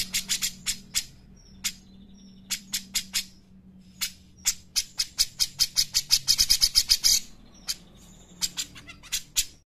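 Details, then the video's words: Cucak jenggot, the grey-cheeked bulbul, in a lure recording meant to train other birds: bursts of sharp, high chips, single and in quick runs, with a low steady hum underneath. "pancingan dan masteran cucak jenggot gacor enak"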